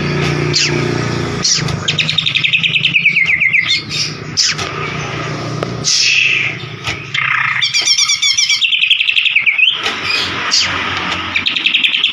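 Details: White-rumped shama (murai batu) lure recording meant to provoke a silent bird into singing: rapid chattering trills and high whistled phrases in bursts, with a steady low rumbling hum underneath and brief clicks.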